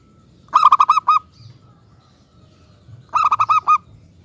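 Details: Zebra dove of a local strain, used to lure wild doves into replying, sings two phrases of about six fast, bright, evenly spaced cooing notes some two and a half seconds apart; low background hum.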